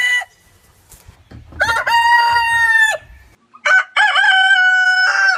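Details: Rooster at a chicken farm crowing, a harmonic-rich call held about a second then cut off, followed by a second crow with a wavering start and a long steady tone; a brief clucking note opens.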